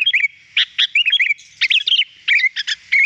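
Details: Training recording of sooty-headed bulbul song, meant to make the bird sing: lively sequences of curving whistled notes and sharp chips in quick bursts, with short gaps between phrases.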